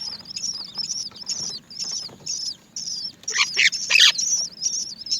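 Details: Several Great myna chicks wait to be fed by their mother; high, squeaky begging notes come in rapid bursts, with louder harsh scratchy calls midway and faint low background rumble.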